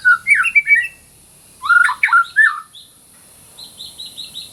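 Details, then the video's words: Energetic white-rumped shama phrases for masteran: harsh squawky whistles and rapid chirps in two bursts, followed by a soft high repeated twitter. "MASTERAN MURAI BATU GACOR"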